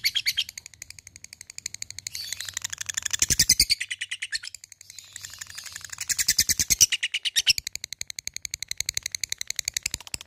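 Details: Fighter Labet bird calling out to a rival, delivering long bursts of rapid, high, rattling ticks at roughly three per second overall, swelling louder in two waves before settling into steady, quieter clicking.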